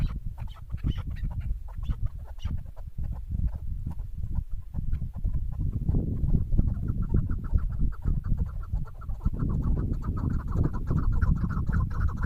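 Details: Female chukar partridge calling during bird hunting. Scattered notes at first, then a fast run of repeated clucking chuck notes in the second half, with heavy low-pitched rumble behind.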